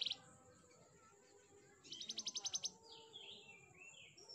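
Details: Quiet canary training song: a brief burst of high notes, then a rapid trill of about nine clipped notes, followed by faint slurred whistles over a low background hum.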